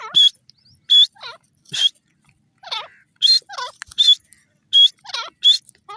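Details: Grey francolin (teetar) gives a series of loud, piercing notes interleaved with lower, twisting, warbled phrases, repeated at uneven intervals of under a second.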